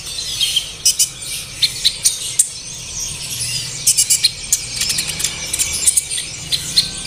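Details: Olive-backed sunbird song played as a lure to make kept birds sing: scattered very high squeaks and quick ticking chirps, grouped in short rapid bursts with slight hiss between.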